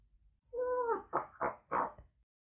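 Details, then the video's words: A pet parrot swearing at its owner speaks in a throaty, human-like voice: one drawn-out tonal syllable, then three quick, harsh word-like bursts over about two seconds. "Попугай матерится на хозяина"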